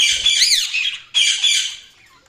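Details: Two loud, harsh budgie squawks, the first with a rising-and-falling wavering tone, the second flatter and trailing off.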